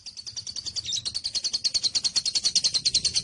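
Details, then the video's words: Lovebird giving a long ngekek, a rapid chatter meant to make other lovebirds answer: fast, even, high-pitched ticking notes packed about three per second, running unbroken through the whole stretch with no other sounds. "Burung Lovebird manapun akan nyaut dan ngekek panjang setelah dengar ini"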